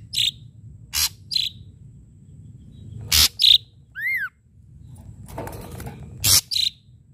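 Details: Ashy drongo lure song with sharp strikes: harsh, explosive broadband cracks, some paired, with a brief ringing tail, plus one clear arched whistle midway, over a low murmur.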